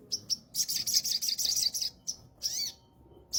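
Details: Sooty-headed bulbul, a young kept songbird: bright, rapid high chattering notes in a dense burst, then short separate chirps and a brief rising whistle, close and clear.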